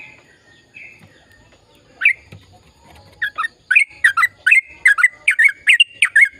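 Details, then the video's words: Sooty-headed bulbul in lively ropel song used to stimulate silent birds: quiet, soft notes at first, then a building series of loud, bubbly whistles repeated roughly twice a second. "Suara Burung Trucukan Gacor Ropel Panjang Perangsang trucukan bisu biar aktif bunyi"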